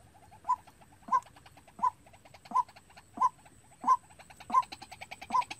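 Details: White-breasted waterhen decoy practicing its lure call for trapping: loud, punchy mid-pitched notes repeated about every 0.7 seconds, eight in a row, with softer stuttering notes filling the gaps.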